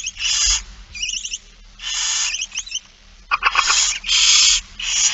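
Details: Feeding-time begging by barn owls, 8 September 2019 at 16:02: drawn-out rasping hisses mixed with quick twittering chatter and a burst of clicking pulses.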